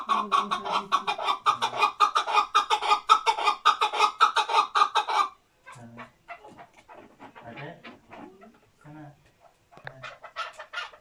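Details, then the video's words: Male chukar partridge, a newly acquired hunting decoy bird just becoming active, calls in a steady rhythmic run of harsh chucking notes for five seconds. Quieter, broken clucks and scattered sounds follow. "Erkek Keklik Sesi"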